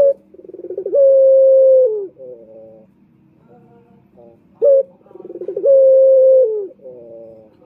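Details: Male turtle dove coo used for luring males, given twice: each phrase opens with a stuttering run of pulses, holds a long low steady tone, then fades into a gentle rolling murmur.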